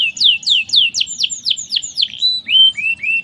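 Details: Merlok canary song made of a regular series of high downslurred whistles, roughly four per second, that slow and drop into lower drawn-out whistled notes.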